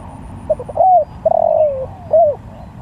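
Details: Spotted dove (Tekukur Sirambo) calling to other doves: short stuttering notes lead into a clear, mellow coo, then a long drawn-out falling coo and a final short arched coo, all low and hollow over a faint low hum.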